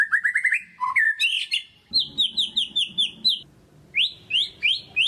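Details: White-rumped shama lure song to get quiet birds singing: a quick rising trill and a sharp burst, followed by a steady series of high, downslurred whistles repeated several times a second.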